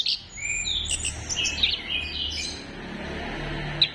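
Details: Orange-headed thrush song used to encourage birds to sing, heard fairly softly over steady background hiss: continuous soft warbling whistles and thin high notes, fading in the middle and closing with a sharp high note.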